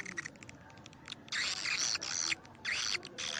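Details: Swiftlet lure call used to attract birds to swiftlet houses, karindanga style: dense, buzzy, twittering chirps in loud bursts of about half a second, separated by short quiet gaps, over faint background hiss.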